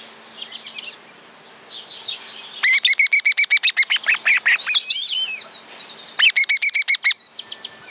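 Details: Guira cuckoo, Santa Fe, Argentina, rural groves, giving varied calls, alone or answered by others. Loud, fast series of sharp, downward-sweeping notes, several runs of about a dozen each, with a softer chatter between them.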